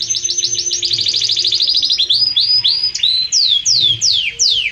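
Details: Belgian canary in strong, warm song: a fast buzzy trill of high repeated notes, shifting to hooked rising phrases and finishing with loud, sweeping down-slurred whistles.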